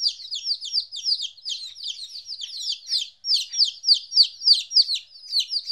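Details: Baby chickens, 14 days old and newly apart from their mother, cheep loudly and repeatedly; high down-slurred notes tumble over one another with a brief pause near the middle.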